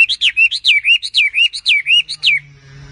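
Oriental magpie-robin singing a rapid run of about ten clear, swooping whistled notes in under two and a half seconds, ending with a faint low hum.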